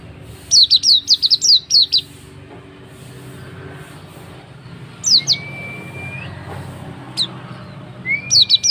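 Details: Lure recording of an oriental white-eye (pleci auri), played so another bird will sing. A rapid string of high, downslurred chirps opens, then scattered single chirps and a drawn-out rising whistle over soft low hum.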